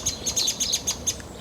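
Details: An agitated song thrush at Mill Road Cemetery, Cambridge, on a June early morning gives sharp, high, ticking notes, about nine in a second and a half, concerned about a magpie possibly near its nest, which it then sees off.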